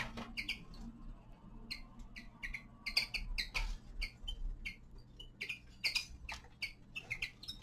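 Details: Common linnet, a young male in winter, giving short bright chirps in quick irregular runs, with clicks and tapping between the notes over a steady low hum.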